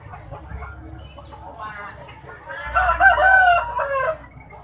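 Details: Big rooster at Pasar Gawok, Sukoharjo, crowing in an odd style likened to calling out Jokowi. After quiet background murmur, a strong rasping crow rises and holds for about one and a half seconds, then cuts off.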